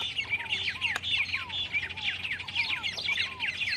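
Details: White-rumped tanager in the wild, singing a fast jumble of bright sweeping chirps with lower curved whistles repeated about twice a second, over a steady low hum.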